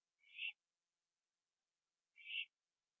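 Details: Late-night owl on a porch at 11:15 PM, 21 September 2011, eating a gopher. Two brief breathy, screechy rasps about two seconds apart, each swelling then cut off, with silence between.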